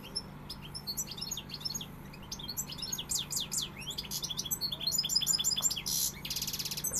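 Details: Pegada song from a European goldfinch: busy, bright twittering of sharp chirps and sweeping notes, growing louder toward a harsh buzzy rasp near the end, with a faint constant hum beneath.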